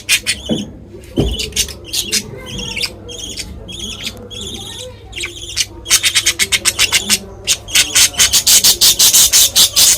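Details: Pet budgerigar family of mother, father and baby gives high, scratchy chirps that become a fast, steady run of sharp chattering notes.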